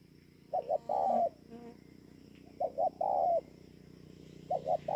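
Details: Spotted dove singing at Bờ Y, Kon Tum, Vietnam, on 28 November 2017: three low cooing phrases, each two short clipped notes then a longer drawn-out coo, over a faint steady hum.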